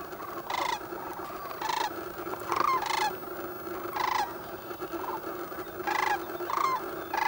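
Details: Sandhill cranes awake in pea-soup fog on the Platte River near Gibbon, Nebraska, recorded with a Canon 7D: loud, rolling, bugling calls burst out roughly every second over a constant background chorus of the flock.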